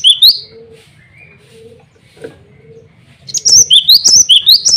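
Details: Cinereous tit male calling out to rivals and females, giving sharp high rising whistles, a few softer lower whistled notes in the middle, then a brisk series of repeated bright notes closing the passage.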